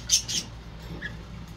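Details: One of a pair of pet budgerigars, bathing, playing and chatting, gives two quick, high, scratchy chirps, then a faint softer note, over a low steady hum.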